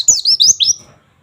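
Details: Oriental white-eye, 'nembak' style training song, 'wit wit wit': four swift, high, squeaky whistled notes run together in under a second, then silence.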